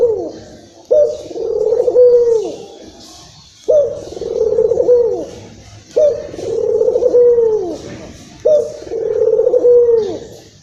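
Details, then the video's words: An emotional local Indonesian Barbary dove gives a series of five low rolling coos, each sliding down at its close, with regular pauses between them; the call serves to lure and excite other doves. "PUTER LOKAL Emosi...!!! silahkan di putar untuk pancingan burung puter anda."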